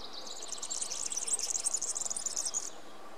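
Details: European serin singing: a fast, high, jingling trill of tightly packed buzzy notes lasting about two and a half seconds before stopping abruptly, over faint background hiss.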